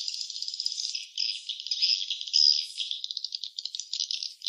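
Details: Swiftlet (walet) calls from a nest: dense, buzzy chattering and rattling twitters, high-pitched and continuous, with brief louder bursts near the middle; no low sounds or other noises present.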